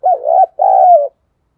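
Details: Spotted dove decoy call, used to prompt other doves to coo when rain makes them lazy; two drawn-out, throaty coos, the second longer and slightly falling, then silence.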